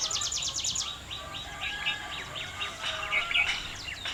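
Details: Small bird perched on top of a tree, giving a fast burst of sharp descending chirps, then looser, uneven high tweets, with light outdoor ambience behind.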